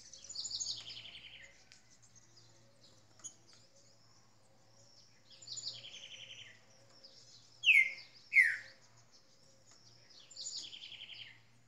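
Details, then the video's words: Green-winged saltator described as a spirited bird, singing short phrases of high buzzy descending notes about every five seconds, plus two loud downward-sliding whistles near the end; faint low hum underneath. "Trinca ferro Ginga Brasil"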